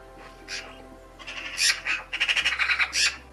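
Eurasian magpie giving a harsh, chattering rattle: a few scattered grating notes, then a fast run of about eight rasping bursts over a second.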